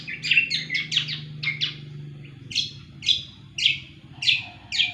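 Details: Greater green leafbird in full, vigorous song: a fast run of varied chirps and slurred notes, then loud sharp downslurred calls repeated roughly every half second, over a soft low hum.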